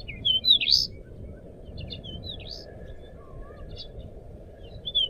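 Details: Crescent-chested babbler (decu) singing actively, used as a training recording for songbirds: short, high, thin whistled and chirped notes in scattered bursts, with steady low background hum.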